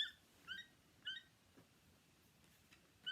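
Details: Toucan, a long-beaked bird of aviaries and tropical jungle, gives short, squeaky, nasal yelps in an uneven series about half a second apart, with a longer gap before the last note.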